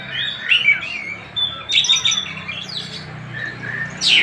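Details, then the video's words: Tasik-type Oriental magpie-robin in song. Clear whistled notes give way to a scratchy burst near the middle, then to soft slurred whistles and a sharp final note. A faint low hum sits in the background. "Kacer Tasik Muni"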